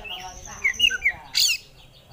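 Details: Brief burst of oriental magpie-robin song: a few quick whistled notes followed by one loud harsh scratchy note.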